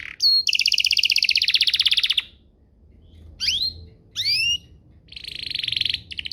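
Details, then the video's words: Canary lure song meant to make other canaries respond: a long buzzy rolled trill, pause, two rising whistled slurs, then another buzzy trill. "Pancingan Burung Kenari agar CEPAT BUNYI, terbukti ampuh bikin burung kenari lain nyaut"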